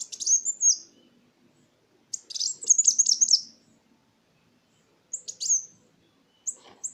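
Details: Kolibri Wulung sunbird singing a lure song used to rouse silent birds and train other songbirds; fast high twittering runs and sliding whistles in four bursts, over a faint low background murmur.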